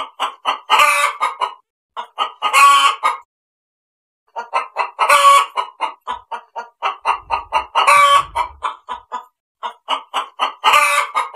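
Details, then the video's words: A hen clucks in quick bursts of short, evenly spaced notes, several to a second, with louder drawn-out squawks breaking in between. "SUARA AYAM BETINA"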